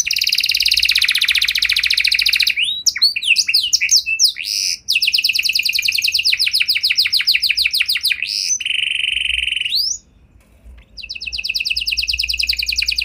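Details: Canary song for prompting other canaries to reply: a loud buzzy trill, a jumble of sweeping notes, another long rapid trill, a short steady whistle, a brief silence, then the trill resumes.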